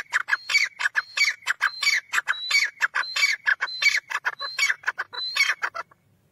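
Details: Black francolin giving loud, scratchy calls in a fast run of harsh bursts with squeaky tonal overtones, repeated roughly twice a second for about six seconds, then stopping.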